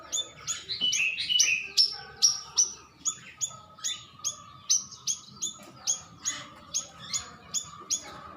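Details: Stripe-throated bulbul call used as a lure so birds respond: a busy opening of overlapping chirps, then steady, evenly spaced sharp notes with downward tails, roughly three per second.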